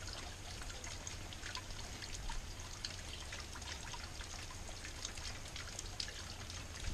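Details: Continuous trickling and pouring water with scattered drips over a low rumble, with no animal calls picked out.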